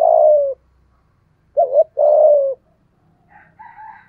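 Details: Spotted dove used as a decoy to lure wild doves, voice style called giọng thổ: a long falling coo, then a short wavering note and another drawn-out coo, followed by faint higher soft notes.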